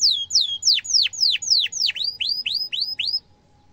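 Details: Canary song used as a lure for young canaries learning to sing: loud falling chirps changing into arched, rising-then-falling whistled notes, about three a second, ending abruptly.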